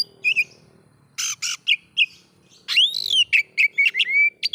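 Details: Oriental magpie-robin song meant to provoke other magpie-robins: scattered short whistles and harsh raspy bursts, then a loud arched note followed by quick whistled phrases and a long steady whistle.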